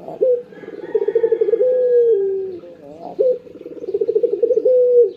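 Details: Two full cooing phrases from a Barbary dove in the morning, each a sharp upward onset, a rapid purring burst of pulses and a long level low note dropping at the end, about three seconds apart.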